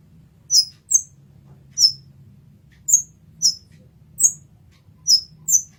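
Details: Olive-backed sunbird used as a tutor bird for training other songbirds: sharp, high chirps in pairs and singles, about nine notes over six seconds, each a quick downward-swept tweet, with a low hum in the background.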